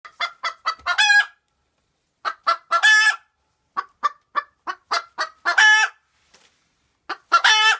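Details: Cochin bantam hen calling just after laying an egg: bursts of short, quick clucks build into loud, drawn-out harmonic squawks, in three phrases separated by brief silences.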